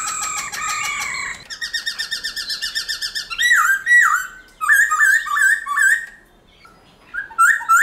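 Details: Black-throated laughingthrush singing in forest style, a recording meant to get caged birds singing. Steady whistled tones give way to a fast rhythmic trill, then bursts of loud slurred whistles, a brief silence and a closing phrase.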